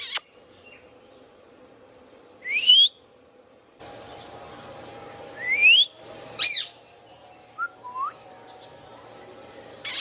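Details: Indian ringneck parakeet giving natural calls: a short sharp note, then a loud rising whistled sweep, another upslurred whistle, a steep double-stroke note and two soft low chirps, with a faint steady hum beneath.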